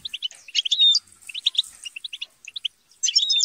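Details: Chattering European goldfinches in a squabbling group: scattered crisp chirps, a clear descending whistle near one second, and a loud buzzy scramble at the end.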